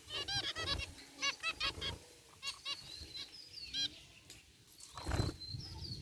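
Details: Zebra finches relaxing in an aviary cage, white and gray birds among them: trains of nasal tooting beeps, some drawn-out thin whistles, and a loud thump near the end.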